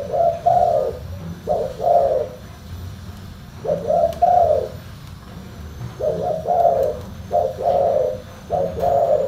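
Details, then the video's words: Spotted dove with a deep, full-bass voice repeating low two-part coos, about six phrases in nine seconds, each a short note and a longer throaty coo, with faint clicks in the background. "TEKUKUR SUARA FULL BASS"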